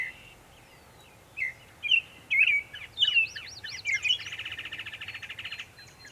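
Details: Singing Northern mockingbird, Savannah, New York, 23 May 2021: after a quiet start come varied sliding whistled phrases, then a fast, even series of repeated buzzy notes lasting over a second, with a low background hum.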